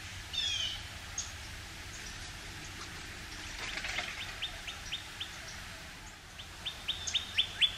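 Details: Male northern cardinal singing high in a pine tree first thing in the morning, a sign of approaching spring, filmed with an OM-1 camera: series of clear down-slurred whistled notes repeated quickly over steady background hiss.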